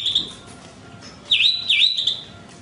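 Horsfield's bush lark gives a brief high note, then a loud phrase of two quick swooping notes that dip and rise, ending on a held high whistle.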